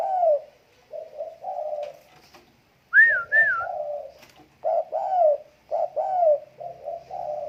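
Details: Coos of a tame spotted dove: mellow, low, repeated two- and three-part phrases with drooping tails, broken once by a pair of higher, clearer whistled notes near the start; little background sound.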